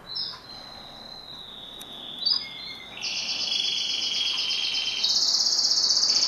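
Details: A yellow domestic canary (Serinus canaria domestica) sings clear high whistles, then rapid rolling trills of repeated notes that grow louder.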